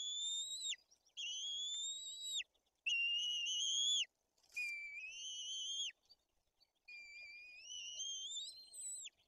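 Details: At a white-tailed eagle nest in Poland's Tuchola Forest, during a fish feeding with the older chick aggressive: five long, thin whistles, each rising gently and then dropping sharply at the end, separated by short pauses.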